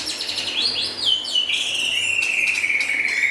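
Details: Lively White-rumped shama song, from local and forest-imported birds: a few quick rising whistles, then one long clear whistle drawn out and sliding slowly downward to the end, with faint ticking notes above.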